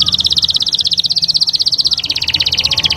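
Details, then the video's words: Canary producing a continuous, very fast, evenly pulsed high trill that steps slightly lower near the end. "استمتع بأجمل تغريدات طيور الكناري"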